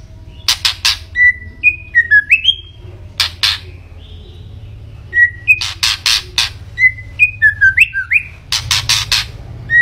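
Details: Murai batu, the white-rumped shama, singing steadily: loud grating chatters interleaved with short clear whistles that rise and dip, repeated in several bouts over a faint low background hum.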